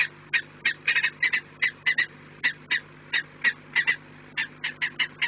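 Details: Peregrine falcon at its nest, 4 March 2019 in the afternoon at 16:28: coarse, clipped cackling notes, some doubled, spaced irregularly a few per second above a low background drone.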